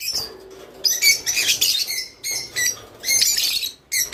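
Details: Rice finch song played to stimulate birds to mate: bursts of dense high chirping and buzzy twitters, each lasting about half a second to a second, separated by short quieter gaps.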